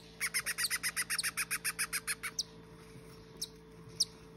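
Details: Hand-fed cockatiel chicks, one and two days old, give a rapid run of high, raspy peeps, begging for food.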